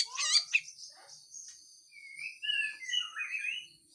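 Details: Harsh full song of a Grey-cheeked bulbul with besetan style: a short buzzy, rising burst at the start, then a string of mellow, gliding whistles that step up and down in pitch.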